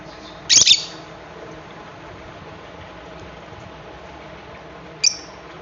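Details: A green Fischer's lovebird gives a shrill, high, harsh double chirp, then a single sharper chirp about four seconds later, with near silence between.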